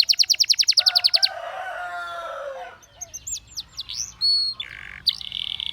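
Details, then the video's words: A canary sings a fast, bright trill of about a dozen notes, then a low rolling buzz, upslurred chirps, a held whistle and another rapid trill. The song is meant to prompt other canaries to sing. "Canary Seducing Friends to Sing!"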